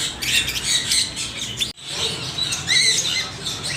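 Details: Parrot calls: rough, scratchy squawks, then after a short break a few higher whistled notes among continued harsh calling.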